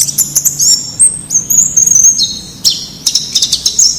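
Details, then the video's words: White-eye singing in the wild, recorded as a training tutor for caged birds: thin, high twittering with a drawn-out sliding whistle in the middle, followed by quick chattering notes. "Suara Masteran Pleci Ngalas Agar Cepat Buka Paruh"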